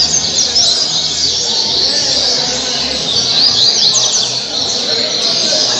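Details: Double-collared seedeater from Angra dos Reis, Brazil, recorded 2019–2020, singing the caribe song. High, rapid chirps and sharp slurred notes repeat without pause against a continuous hiss.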